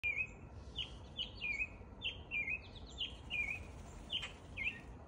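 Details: American robin singing its morning song in spring: a steady string of short clear caroling phrases, each a quick slurred whistle dropping in pitch, repeated about twice a second, with faint high chirps and low background rumble.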